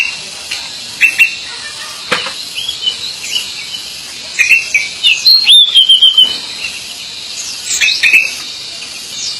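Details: Pied bushchat, known locally as decu, singing. High, thin chirps and short twittering phrases come in scattered bursts, busiest around the middle, over a steady hiss.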